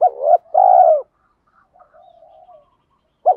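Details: Spotted dove, male and female, cooing to stimulate trained birds: a clipped first note joined to a long, mellow coo, then soft low muttering, and the next phrase beginning at the end.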